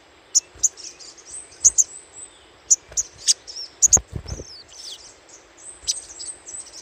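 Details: Little spiderhunter chattering for luring: sharp, very high single and paired chips at irregular intervals, plus a brief falling whistled note and a few low knocks.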